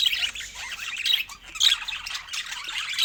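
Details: Budgerigars chattering over fresh fruit at feeding time: bright high squawks and chirps in short clustered bursts about every half second, with brief quieter gaps between them.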